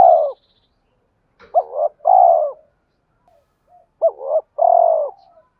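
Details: A male spotted dove coos to incite fighting and summon a mate; repeated phrases of a wavering double coo then a long vibrating, slightly falling hoot, two phrases about two and a half seconds apart.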